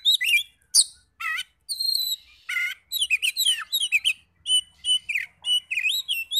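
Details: Lure song of an Oriental magpie-robin, meant to stir other magpie-robins to answer: dense, rapid run of shrill whistled notes, harsh chatters and squeaky slurs, nearly continuous through the second half.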